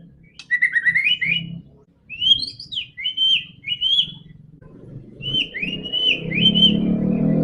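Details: White-rumped shama, song to prompt a quiet bird: short rising whistled phrases in several groups, with a swelling low rumbling noise building toward the end.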